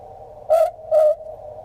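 An Australian Boobook gives its two-note hoot, boo-book: two soft, mellow, low notes about half a second apart over a faint steady hum.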